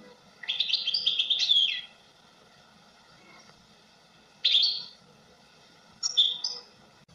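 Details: European goldfinch singing three separate bursts of bright, twittering, warbled notes, a long phrase followed by two shorter ones, with quiet pauses between and faint low background hum.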